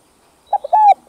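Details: Short burst of spotted dove (cu gáy) cooing meant to excite captive doves: quick hollow notes leading into one sustained, gently falling coo, with the next phrase beginning right after.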